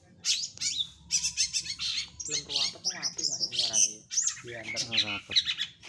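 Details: Long-tailed shrike singing energetically, a fast jumble of sharp high chirps and whistles mixed with harsh, buzzy, voice-like phrases in the middle.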